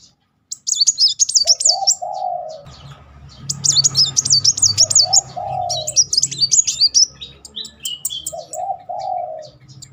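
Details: Van Hasselt's sunbird firing successive 'nembak' bursts as a singing lure. Three high, fast-warbled trill phrases, the last breaking into descending chips, with low cooing notes and a faint background hum.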